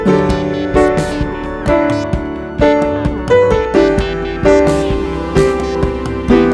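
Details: Loud keyboard music with repeated piano chords and plucked notes throughout, and no bird or other animal heard.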